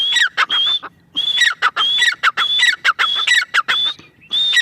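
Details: Female grey francolin calling: loud, harsh phrases each with a high whistled note that drops into a lower rasping tail, repeated in quick bursts of several notes with short pauses between groups.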